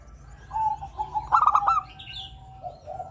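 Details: Local zebra dove with a melodious song used as a lure: a single quick phrase of clipped, bubbling coos follows soft drawn-out tones, with a faint high chirp from another bird afterward.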